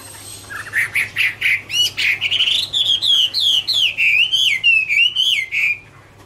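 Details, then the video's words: Chinese hwamei (Garrulax canorus) singing its "Autumn Love Song", recorded in 2017: a fluent run of loud, rising and falling whistled phrases that climb steadily in pitch, about three notes a second, with a faint low hum beneath. "" Autumn Love Song " Bird Garrulax canorus Singing- Birdsong"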